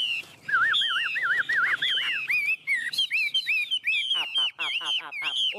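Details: Tame Chinese hwamei perched on a hand, singing in the intense 'ôm cóng' style: loud rapid wavy whistled phrases, looping up and down, then a run of quick sharp downward strokes repeated several times per second.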